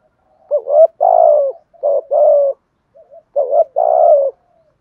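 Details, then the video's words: Morning cooing of a decoy spotted dove calling wild doves: two phrases of slightly rough, hollow notes, each built around a long coo that slides downward, with short pauses between them. "tiếng chim cu mồi gáy gọi bổi buổi sáng"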